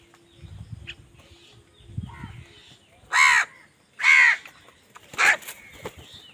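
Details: Angry crows squabbling with other birds over food give three loud, hoarse caws about a second apart, after a quiet stretch of faint scuffling and low rustling.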